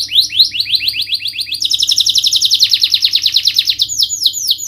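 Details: Canary song meant to trigger a reluctant bird to sing: a run of quick sweeping notes turning into a dense high buzzing trill, then a different fast repeated phrase.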